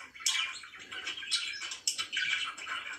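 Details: Pet budgerigars chirping in the morning indoors in a small room: busy overlapping warbled chatter and chirps with short buzzy bursts, steady and dense throughout.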